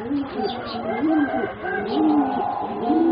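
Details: Young zebra doves of a line bred for singing competitions, four birds aged about three and a half to four months. Low arched coos are repeated roughly once a second over a steady higher tone and faint background hum.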